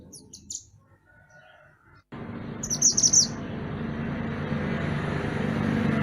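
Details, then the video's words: {'_': 'Mantenan gunung songbird recorded as master song for training songbirds: a brief high chattering phrase, then a second phrase over a sudden loud rushing background noise.'} "Mantenan Gunung Gacor Burung Masteran Untuk Burung Kicau"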